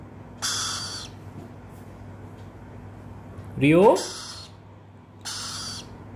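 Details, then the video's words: Swainson's lorikeet chick answering when its keeper calls its name; two harsh, raspy screeches about five seconds apart, with a person's calling voice between them and steady low hum behind. "Beautiful Swainson Lorikeet Chick Responds when called"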